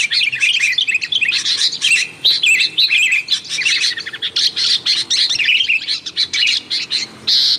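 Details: Sooty-headed bulbul giving a noisy, energetic stream of calls meant for luring wild birds: tightly packed chirps and trilled fragments rising and dropping quickly, almost without pause.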